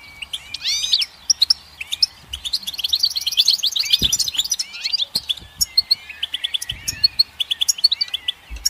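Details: Goldfinch song mixing fast buzzy trills with sharp twittering notes and upward slurs, continuous for several seconds. Occasional low knocks are heard.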